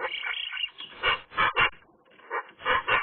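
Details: Magpie singing in sunshine, a varied run of scratchy, rasping phrases and short harsh notes rising and falling in loudness, with brief gaps between groups.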